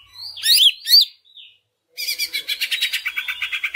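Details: Greater green leafbird singing as a lure to encourage other leafbirds to sing: two loud, sharp rising-falling whistles, a brief silence, then a fast buzzy rattle of evenly repeated notes.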